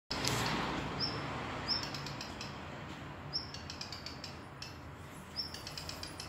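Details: Unidentified songbird near Suwałki, Poland: a short, very high thin whistle followed by a quick burst of dry, clicking ticks, repeated four times in about six seconds over steady broadband background hiss.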